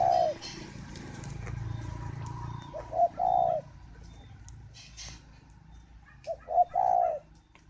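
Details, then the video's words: Spotted dove kept at a breeding aviary in Ba Vì, Hanoi, Vietnam, cooing while incubating and rearing young; two short bursts of low, hollow coos, each of two or three notes, set against a steady hum and scattered clicks. "chim cu gáy hay vừa ấp vừa gù"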